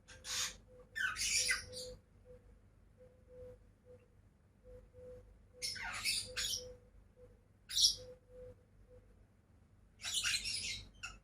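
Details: Two pet lovebirds squawk in harsh, broadband bursts spaced several seconds apart, with a faint humming tone between calls.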